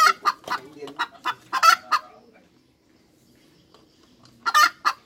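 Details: Hen cackling: a long string of sharp, accelerating clucks ends in a harsh squawk, followed by about two seconds of near silence and then one more loud squawking burst.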